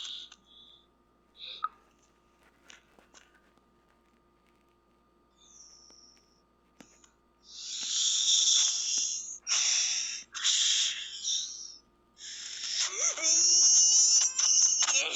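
A cockatiel sings a few thin whistles, then bursts of harsh, hissy chatter and a rising warbled phrase.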